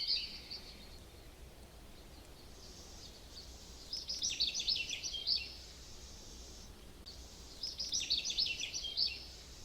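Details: American goldfinch (Spinus tristis) in Ohio, a seed-eater that flocks except in nesting season, sings its variable mix of bright, high warbles and trills in bursts a second or two long, with short pauses, over a soft hiss.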